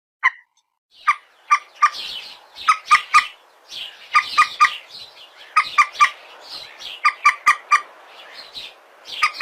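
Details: Eurasian coot calls recorded on a mobile phone with some background noise: loud, harsh, clipped notes repeated in quick irregular bursts, several birds overlapping, with nasal harmonics and brief pauses between series.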